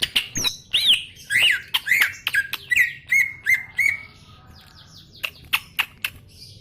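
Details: Greater green leafbird in full, energetic song: loud slurred whistles rising and falling, then a run of even, level whistled notes, with sharp clicks scattered throughout.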